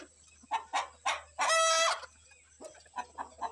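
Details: Rooster in the morning, let out with his family to forage and agitated by kites overhead, warning the hens to hide; a few short clucks, then one loud sustained harmonic squawk, followed by softer clucks.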